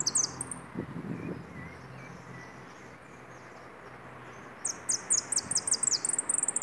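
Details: A European goldfinch sings just after midday on Wednesday the 24th: bright, high, tinkling notes in a brief opening burst, then a pause before a quick run of sharp repeated chirps, over a low background hum.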